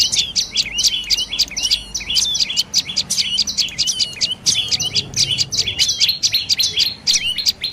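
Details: Dark-necked tailorbird calling: rapid, high, sharp chirped notes repeated in fast bursts throughout, a busy series of bright metallic trills with faint low background hum.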